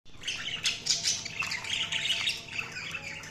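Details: Budgerigars chirping: continuous high, scratchy warbling chatter with short squawks and sharp chirps overlapping throughout, a lively flock-like stream of parakeet sounds.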